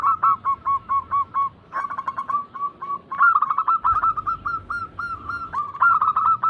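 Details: Zebra doves in a lure recording used to prompt reluctant birds into song: rapid runs of short cooing notes, overlapping phrases that repeat steadily throughout, several birds seemingly calling together.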